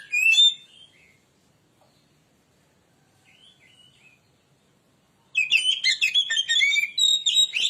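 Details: Oriental magpie-robin lure song: a brief whistled phrase, then near silence with faint distant notes, then a burst of fast, varied whistles and harsh chattering at the close.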